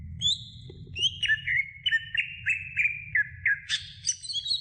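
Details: A greater green leafbird sings on a tutoring recording for other birds: a high opening slur, then a steady series of short, slightly descending whistles ending in a brighter, buzzy high flourish.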